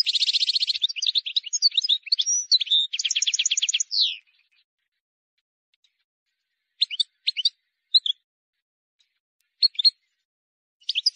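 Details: Wild European goldfinch singing an error-free tutoring song for young birds. A long, energetic phrase of buzzy trills and jangling twitters runs for about four seconds, followed by silence and a few sparse short chirps.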